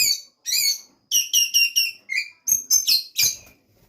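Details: Oriental magpie-robin in a breeding facility in Banjarnegara, Central Java: a series of loud, harsh, rasping notes in a repeated rhythm, roughly four or five per second at its fastest, with faint clicks in the background.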